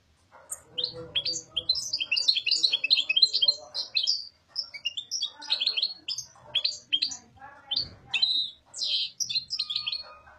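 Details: Papadia song of a European goldfinch: a long run of rapid, high twittering phrases, jangling notes and short trills, broken by brief gaps, with faint low background rumble.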